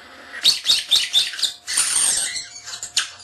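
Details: Young male common starling kept as a pet, mimicking sounds such as camera beeps and other cage birds: dense, high, scratchy chatter with rapid clicks about four per second, then a hissy squeaking burst.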